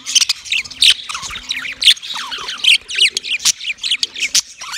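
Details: Yellow male budgie giving mating chirps: a dense, fast chatter of scratchy squawks and warbled high chirps, with rapid rising and falling notes. A faint low hum with short repeated arcs runs underneath.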